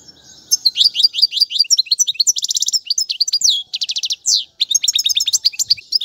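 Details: Goldfinch singing a continuous training song for fledglings, with rapid chattering twitters, dense buzzy trills, and a few drawn-out sliding notes, all bright and high-pitched with no other sounds.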